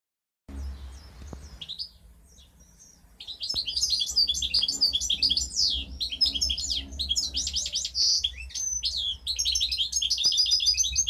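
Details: Goldfinch hybrid from 2015 singing a fast, jumbled song of high twittering and buzzy notes with sliding whistles, after a brief quiet start; a low steady hum runs underneath.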